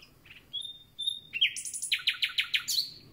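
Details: Common nightingale newly back, opening its song with quiet notes and two sustained whistles, then a rising buzzy phrase and a run of bright repeated notes, ending on a high flourish.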